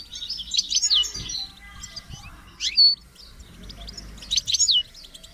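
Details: European goldfinch song with chicks chirping, meant for training captive birds: three separated bursts of high, liquid twitters and tinkling notes, quieter stretches between them.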